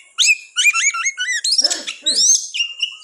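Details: Kept oriental magpie-robin in vigorous song: a few bouncing whistled notes dropping in pitch, followed by a harsh rasping burst and a long rising whistle.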